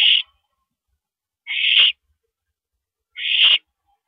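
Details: Owl calling at night during a mouse delivery, 13 April 2012 at 9:17 PM: harsh, hissing screeches about half a second long, repeated roughly every one and a half seconds, with quiet background.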